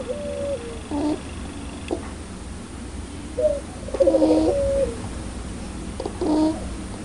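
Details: Puter pelung (Barbary dove) with a loud, clear laughing ngakak call: short hollow coos with brief stuttering bursts, spaced every couple of seconds over a hissy background.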